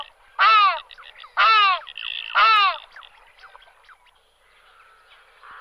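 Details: Ruddy shelduck (Tadorna ferruginea) giving three loud, nasal, honking calls about a second apart, then fainter chatter from other birds in the background.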